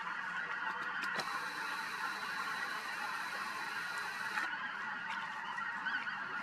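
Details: Snow Geese flock at Snyder Bend County Park, Woodbury County, Iowa, on 3 March 2023: a dense, unbroken chorus of overlapping nasal honks from many birds, with no pauses throughout.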